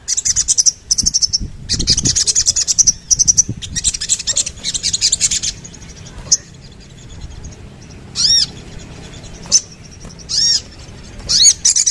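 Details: Sooty-headed bulbul, here singing a fast stream of high chattering chirps that later breaks into separate bright, arching whistled phrases every second or two over a low background rumble.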